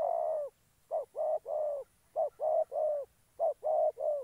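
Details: Trapping decoy spotted dove, Gia Lai, Vietnam, giving mellow low coos in three-note phrases, a short note followed by two longer falling ones, repeated three times with brief pauses.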